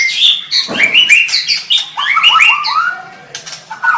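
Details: White-rumped shama, a bird kept to train other shamas, singing a varied run of loud whistled and slurred phrases, rising and falling notes packed densely with brief harsh chips and a short pause near the end.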